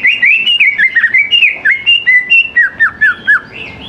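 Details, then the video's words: Greater green leafbird singing to draw young birds into song: loud, continuous whistled phrases mixing rising and falling slurs and quick warbles, delivered in a rhythmic string of nearly four seconds. "CUCAK IJO GCOR SANGAT AMPUH BUAT PANCINGAN CUCAK IJO MUDA BAHAN LANGSUNG NYAUT IKUT GACOR"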